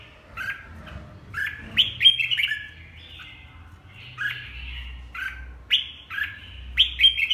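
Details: Red-whiskered bulbul from Huế, Vietnam, singing short clear whistled phrases that rise and fall, delivered in bursts of two to four notes with brief pauses, plus a low background hum.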